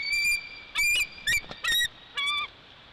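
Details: Bald eagle calling at its nest in Big Bear Valley, filmed by a live nest camera. Five bursts of high, thin, chittering whistles come in quick succession, some ending in a downward slur. A steady background hiss runs throughout.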